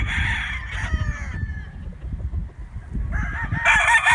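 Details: Roosters crowing with chickens: a crow fades out in the first second and a half, a quieter gap follows, then another loud crow swells in at the end over low background rumble.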